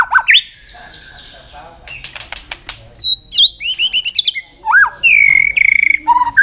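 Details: Fired-up white-rumped shama in a song contest, switching between many forest voices: a rising whistle, dry rattling clicks, bright looping high notes, a sustained steady whistle and lower fluty tones.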